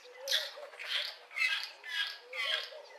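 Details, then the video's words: Lesser striped swallow singing in a garden early in the morning: a run of five nasal, buzzy squeaks, evenly spaced about every half second, each a short harmonic-rich burst, with quiet background. "Lesser Striped Swallow song"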